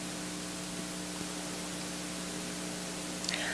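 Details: Steady static hiss with a low electrical hum and a brief faint chirp-like click near the end, no animal calls.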